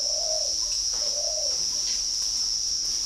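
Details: Caged male Spotted Dove in the middle cage in Ba Vì, Hanoi, Vietnam, with a 'brass' (âm đồng) voice: two low, smooth, slightly rising-falling coo notes about a second apart, over a loud steady high-pitched insect drone.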